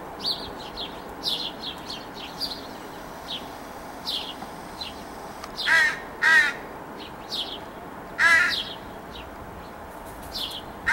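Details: A begging young crow with its parents, July 2017, gives harsh, drawn-out nasal whines in a cluster of three, then one more, while many faint, high, falling chirps run through the whole recording.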